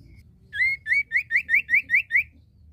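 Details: Common iora (cipoh), male and female: eight loud, clear rising whistled notes in a steady series, each slurring upward, about three per second, over a low background hum.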